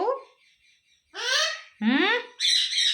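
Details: Pet parrot giving harsh, raspy squawks, three loud bursts after a softer opening note, the last one high and shrill.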